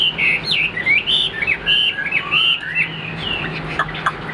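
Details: Caged Chinese Hwamei, tame and noted for its fine voice, singing clear looping whistles that rise and fall in quick succession, tapering into softer notes.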